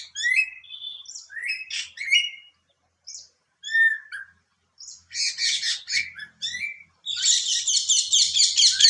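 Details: Greater racket-tailed drongo singing, a mimic that forages alongside babblers: whistled chirps and slurred notes, then increasingly harsh, grating buzzy chatter building into a continuous scratchy burst at the end.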